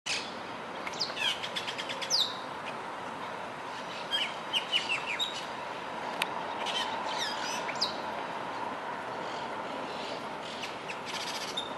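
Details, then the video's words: Austral blackbird calling: clear whistled notes and sharp downslurred and upswept chirps in scattered bursts, some notes repeated in quick series, over steady mid-pitched background noise. "Austral Blackbird_curaeus curaeus"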